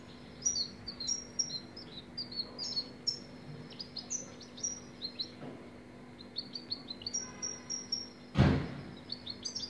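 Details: European goldfinch singing: high, thin twittering notes repeat steadily throughout, with brief slurred chirps and one dull thump late on against a quiet background.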